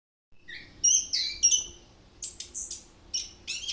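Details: Orange-headed thrush singing continuously and showing off its repertoire of imitated phrases: short high whistled and slurred notes in quick bursts, some rising, separated by brief pauses, against a quiet background.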